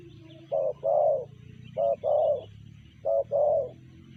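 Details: Spotted dove with a sanji-style voice: mellow low coos in short-then-long pairs, three pairs at roughly one-second spacing, steady faint hum and distant twittering in the background.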